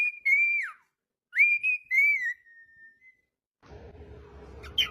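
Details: Cockatiel whistles two long, steady notes that fall away at the end, followed by a stretch of rustling background noise.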